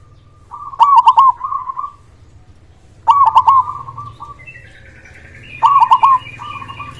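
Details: Local zebra dove singing a loud voice: three phrases about two and a half seconds apart, each a purring trill with a strong stuttered triple note, another bird's higher trill overlapping late.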